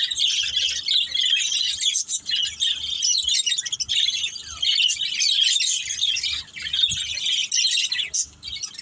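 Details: Several pet budgerigars, a family of budgies playing together, chirp continuously in dense overlapping high warbles and twitters, with short squeaks and rapid chatter forming a busy, nearly unbroken flock chorus.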